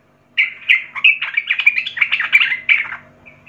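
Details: Sooty-headed bulbul, young and from the wild, delivers a busy, continuous warble of liquid chirps and slurred whistles lasting about three seconds after a brief silence.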